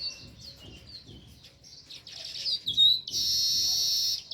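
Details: Chirping of a sparrow by its nest in a village: varied high notes rising and falling in quick succession, ending in a dense, sustained high chatter.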